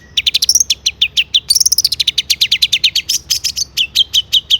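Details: Song of a long-tailed shrike (cendet), used to draw other shrikes into song: an unbroken stream of quick high chips, briefly accelerating into a dense trill, then steady pulses several per second.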